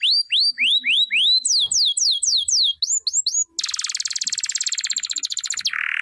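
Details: Canary singing: a run of rapid, whistled downward-curving notes, then faster rising sweeps, ending in a dense, buzzy rattling trill of about two seconds and a short harsh buzz.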